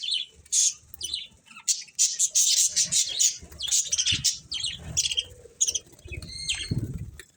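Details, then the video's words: Lively budgerigar chatter, a long stream of scratchy squeaks and warbled trills with occasional low thumps, likely wingbeats or movement, between bursts. "Cute Budgies Chirping Sounds"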